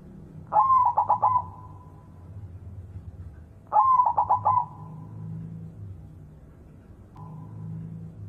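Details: White zebra dove singing energetically in the morning: two mellow cooing phrases about three seconds apart, each a quick run of pulsed, rolling notes that ends in a soft held tone, with a faint start of a third. Low background hum.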